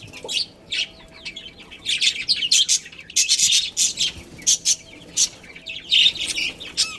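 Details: Colony of budgerigars, including a breeding pair, giving a lively stream of short, scratchy chirps in irregular clusters, with quick bursts overlapping as several birds call together.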